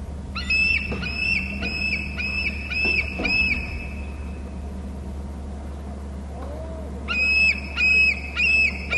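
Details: Bald eagle at its nest and territory on Hornby Island, caught by a nest camera: two bursts of high, piping, whistled notes in quick even series, separated by a pause, over a steady low hum.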